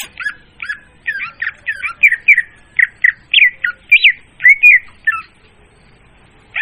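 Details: Clear, loud leafbird lure sound for trapping birds: a brisk series of harsh, squawky chattering notes mixed with short whistled slurs, roughly two each second, ending with a single downslurred call.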